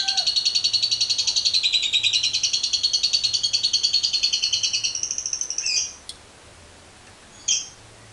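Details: Lovebird long 'ngekek panjang' chatter, used to trigger other birds: a sustained, fast, high-pitched pulsing rattle for nearly six seconds, ending in a harsh squeak, a click and one more chirp.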